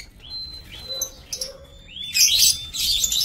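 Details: Lovebirds in an aviary, 27 March 2024: short thin upslurred whistles repeated a few times, then a sudden loud, harsh screeching burst of many overlapping birds.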